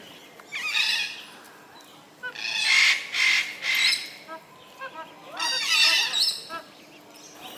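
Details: Magpie geese, housed at Mandai Bird Paradise, Singapore, three adults with seven goslings about one week old; loud, harsh honking bursts in a tight cluster, then again a few seconds later, over background voices of people.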